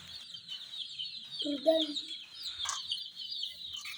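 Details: Flock of young hen chicks beside miniature jeep toys, with continuous high-pitched peeping, a short low voice-like sound partway through, and a sharp tap near the end.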